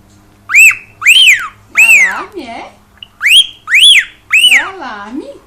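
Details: Household cockatiel repeats loud arched chirps, each rising and falling, in two groups of three, with a softer, lower wavering tone running beneath some notes.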